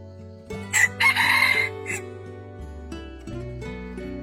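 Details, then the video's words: Red junglefowl setting in a garden, where an ordinary domestic rooster is used to lure a wild junglefowl hen: one harsh crow lasting about a second, broken into short bursts, over loud steady instrumental music. "pikat ayam hutan betina dengan ayam jago biasa dikebun"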